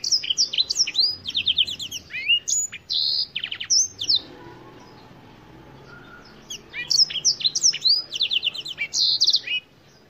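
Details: Song of a Black-throated canary, a black-throated African finch: rapid high trills and swooping whistled notes in two long phrases, separated by a pause of about two seconds, over a low background hum.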